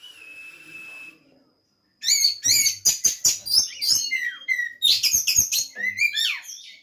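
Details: Oriental magpie-robin in a breeding facility in Banjarnegara, Central Java: after a brief pause, a rich high song of quick whistles, sharp clicks and rising and falling slurred notes, delivered in rapid varied bursts.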